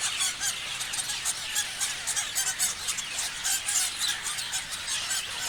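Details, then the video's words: A flock of parrots chirping: dense, overlapping high squeaks and chatters in rapid, uneven bursts, with no quiet gaps. "Parrots chirping sounds"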